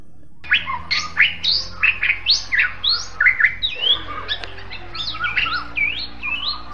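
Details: A rare Bali myna (jalak bali), found only on Bali, sings a loud, varied run of clear whistles, harsh chatters and upslurred notes in quick phrases about twice a second, over a low steady hum.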